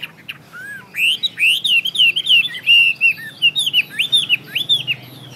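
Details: Chinese hwamei delivering a long, varied song of rich whistled notes, looping slurs rising and dipping, tumbling quickly one after another for over five seconds; quiet background hum.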